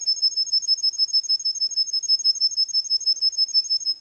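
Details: Competition Russian canary from Russia delivering a very regular high rolling trill, about three pulses per second-fraction, sustained evenly for four seconds without pause.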